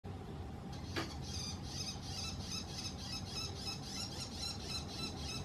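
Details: Bull-headed shrike calling from a house antenna: after a sharp click, a fast run of harsh, grating notes starts and repeats about five times a second to the end, over a steady low hum.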